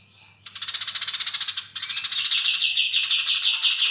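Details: Eurasian tree sparrow in lively song, a long chirping style known as nyrecet panjang: after a short quiet start, a rapid run of sharp high chirps, a brief break, then the fast chirping resumes with a rising note.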